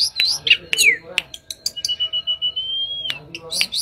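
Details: Mangrove blue flycatcher singing: a few quick chirped notes, then one long, steady, pure whistle that rises slightly and drops off at the end, followed by more brief chirps and clicks.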